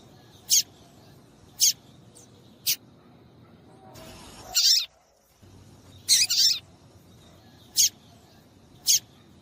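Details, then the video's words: Short, piercing chips of a female double-collared seedeater, a call to get males singing for tournaments; about nine calls, a doubled rasping note among crisp ticks, with a brief break in the background hiss. "PIADO DE FÊMEA DE PAPA CAPIM PARA DEIXAR SEU PAPA-CAPIM DOIDO PARA CANTAR LOGO!"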